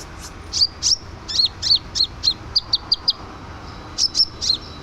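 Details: Lively scarlet minivet song meant for tutoring other songbirds: a steady series of sharp, high whistled notes, some slurred downward, spaced roughly a quarter second apart, with a brief pause before a final three-note burst.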